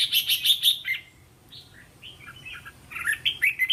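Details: Red-whiskered bulbul song for teaching young caged birds to answer: a quick train of sharp repeated notes, then warbling whistled phrases rising and falling.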